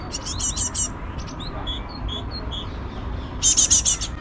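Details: Great tits and their chicks on an eleventh-floor balcony in Mariahoeve, The Hague, in April–May 2024, give bursts of shrill, rapid, high chattering, with a few short, clear, high notes about half a second apart.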